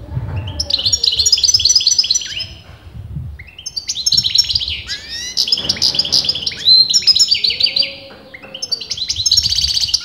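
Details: Unbroken singing from a European goldfinch whose sex experienced keepers disagreed on: long, dense sequences of bright buzzy twitters and chattering trills with brief dips between phrases.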